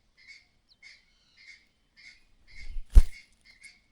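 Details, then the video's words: Mother myna giving a clattering alarm call, warning of danger nearby: short harsh rasping notes repeated about every half second, soft and even, then a loud dull thump and rustle near the end. "The mother bird is acting strangely, making a clattering sound—there may be danger nearby."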